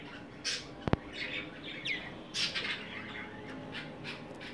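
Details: A Belgian canary gives short, bright chirps and scratchy twitters in scattered bursts rather than a continuous song, with a sharp click early on and a quiet indoor hum.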